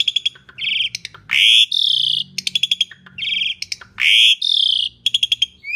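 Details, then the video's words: An Asian pied starling singing at its loudest to prompt other birds: quick stuttering pulses alternate with long, harsh, buzzy rising screeches, the pattern repeating about every two and a half seconds. "Kicau Jalak Suren Gacor Paling Nyaring"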